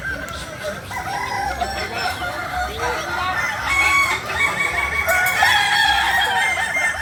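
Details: Group of Kukuak Balenggek chickens from Solok, West Sumatra, crowing continuously; overlapping crows and clucking-like short notes build in loudness toward the end.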